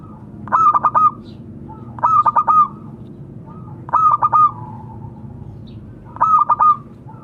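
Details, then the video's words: Local zebra dove calling to companions, a lively bird recorded for use as a lure. Four mellow cooing phrases about every two seconds, each a quick stutter of clipped notes then a drawn-out wavering coo. Low background hum. "Suara burung perkutut memanggil kawan."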